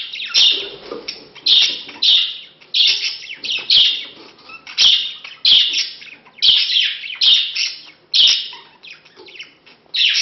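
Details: Male budgerigar courting and mating with a female known for two months; a long series of harsh, scratchy chirps in clustered bursts, some paired, with brief warbling between them.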